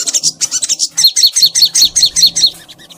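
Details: Crimson sunbird, kept as a pet, singing long and energetic for a master recording meant to prompt other sunbirds to sing: a fast train of high, sharp chirps repeated about every fifth of a second, bright and ringing throughout.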